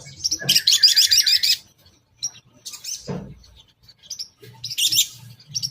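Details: Long-tailed shrike lure song meant to draw other shrikes, in the toet toet style: harsh, buzzy, grating bursts of high notes, a loud one near the start, then scattered shorter rasps, with faint low rumble behind.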